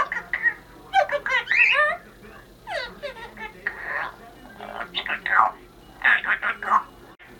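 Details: A female Congo African grey parrot chatters a New Year greeting in rapid, speech-like bursts that mix tonal wavering notes with harsher syllables, pausing briefly midway.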